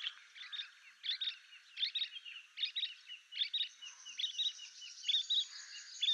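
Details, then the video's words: Painted bush quail calling and singing, a scattered covey regrouping. Quick, overlapping high chirpy notes come in clusters several times a second, steady throughout, with faint hiss behind. "Painted bush quail (Perdicula erythrorhyncha) sound call and song"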